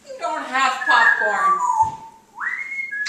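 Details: African grey parrot kept as a pet, chatting indoors and asking about peanuts or popcorn; a burst of speech-like syllables with rich harmonics, a short click, then a long whistled note rising and holding steady.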